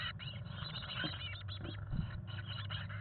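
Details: Black-capped chickadee nestlings, 18 days old, hatched 17 May 2022, inside a nest box on fledging day as parents feed them; high, thin chips and soft chatter run almost nonstop, over a steady low hum and a few scrapes.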